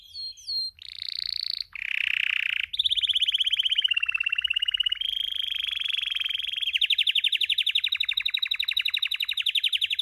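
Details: In breeding condition, a male Spanish timbrado canary opens with a few down-slurred whistles, then rasping bursts, then long metallic rolling trills that dip slightly in pitch and run on, speeding into tight pulses.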